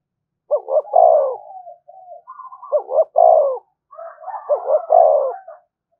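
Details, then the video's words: Decoy spotted dove cooing continuously to provoke a fight: three close phrases, each a quick stuttered double note leading into a long, loud, falling coo, linked by quieter murmuring coos. "Tiếng chim cu gáy mồi thúc đấu rút bổi liên tục, chim cu đất thúc đấu"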